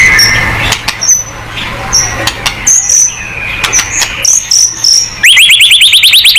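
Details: Singing white-rumped shama, played to prompt other birds to sing: clear short whistles and thin high notes scattered across the first five seconds, then a fast rattling series of rising high notes to the end.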